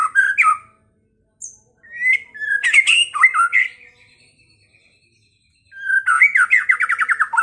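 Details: Caged white-rumped shama (murai batu) from Pekalongan whose song is played to goad rival birds into fighting and singing. Varied whistled phrases, a thin, slowly rising drawn-out whistle, then a rapid rattling series of repeated notes.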